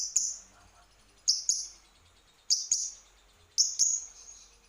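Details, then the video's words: Lovebird on a lure recording meant to make birds sing: sharp high chirps in pairs, repeated roughly every second, with quiet gaps between. "Garansi burung pasti gacor setelah denger ini"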